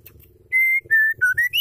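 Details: Song of a female white-rumped shama, meant to trigger males to sing: long pure whistled notes, a level tone, then a slightly lower one, a dipping note, and a rising final whistle.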